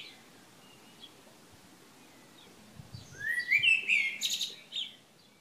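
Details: Morning birdsong, 3 June 2015, Šilo on Krk island, Croatia. Several quiet seconds, then a single loud song bursts in with a rising whistled slide and a rapid, rattling trill.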